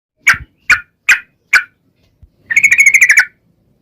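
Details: Trucukan in gacor song with a long ropel phrase, used as a lure so other trucukan answer: four spaced, clear mid-high notes, then a fast bubbling trill of about a dozen notes lasting under a second.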